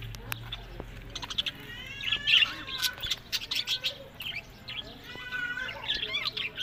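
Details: Pet budgerigars kept for breeding in Larkana, Sindh, giving a mix of quick chirps and short warbled notes with stacked tones, irregular bursts rising and falling over several seconds, with a faint low hum beneath.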